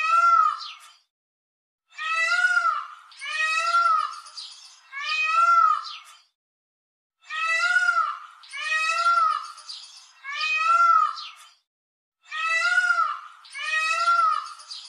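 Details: A peacock, shown displaying its feathers, gives loud, wailing, nasal screams, each about a second long, mostly in quick runs of three, with short pauses between runs.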